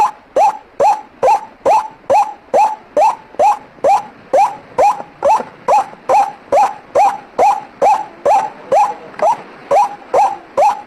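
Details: Lure recording of a white-breasted waterhen: a continuous series of grating, sharply rising notes at a steady pace of slightly more than two per second, lasting about eleven seconds.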